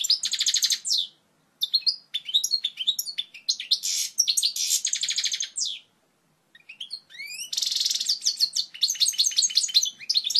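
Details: European goldfinch song in its pure original form for tutoring young birds: sparkling twitters and fast trills in bursts separated by two silent pauses, closing with upward-sweeping notes and dense chattering runs.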